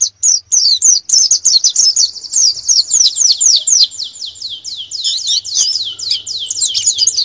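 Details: Canary singing a master song used to train birds for national song competitions: a fast, continuous stream of high whistled trills and rapid sweeping notes, nearly unbroken for seven seconds, with a faint low hum beneath.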